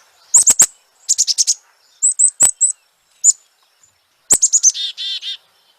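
Black-capped Chickadee giving its namesake call: quick, high, thin chips followed by a few lower, buzzy, harsh 'dee' notes, repeated in several short bursts.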